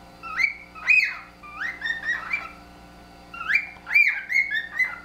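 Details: Two pet cockatiels, housemates of three years, in a friendly whistled duet they perform a few times a day, trading clear wolf-whistle-like notes that swoop up then slide down, in two quick bursts, over a faint household hum.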